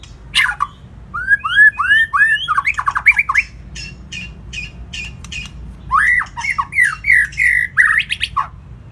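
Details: White-rumped shama singing long, varied phrases meant to rouse a weak bird to sing: a sharp opening note, a run of rapid rich downslurred whistles, a pause filled with faint ticks, then another burst of looping whistled notes.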